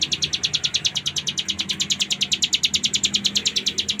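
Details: Nonstop ngebren singing from a bar-winged prinia, known locally as cigun: an unbroken machine-gun series of bright, high chirps, close to ten per second, steady in pitch and loudness throughout.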